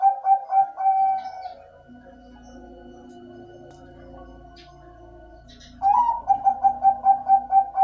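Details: Perkutut bangkok, a zebra dove kept for its soothing song: a brisk series of mellow coos ending in a drawn note, a pause with soft background hum and a few faint clicks, then a new run of rhythmic coos.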